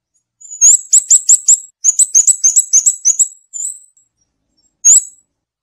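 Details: Scarlet-backed flowerpecker singing a fast series of thin, very high, sharp notes repeated about six times, then a brief pause and another run of similar notes, ending in a drawn-out buzzy note and one more lone note; quiet background.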